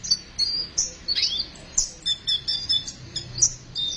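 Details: Sunbird song used to stimulate sunbirds: bright, high chirps and thin sweeping whistles in quick succession, some notes slurring downward, over a quiet background.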